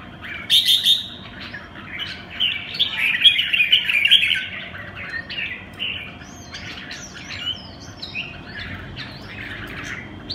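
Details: Red-whiskered bulbul singing in the song style locally called Quảng lân bướm: bursts of warbled, chattering notes with quick rising and falling slurs, loudest in the first half, then thinner whistled phrases later over a faint steady hum.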